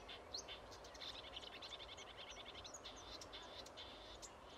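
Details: A marsh warbler near Rijssen, Netherlands, on 25 May 2016 sings a fast, continuous jumble of high chattering and whistled notes, rich in mimicry, over a faint background hiss.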